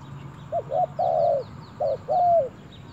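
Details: Spotted dove taken to the forest for the first time, cooing twice. Each phrase is a quick clipped note, then a drawn-out coo that droops at the end. Faint high chirps and a low background hum run underneath.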